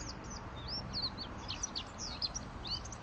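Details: White-eye in 'ngalas' singing style, used as a lure for training caged white-eyes: busy, high-pitched twittering with many short chirps and slurred notes, irregularly spaced, over a steady low rumble of background noise.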